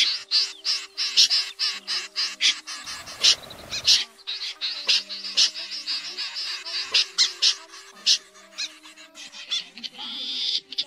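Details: Common snipe flock calls played as a lure for night net trapping in the August 2024 bird season: dense, overlapping rasping notes in quick succession, several birds calling at once. A brief noisy burst comes near the third second, over a steady low hum.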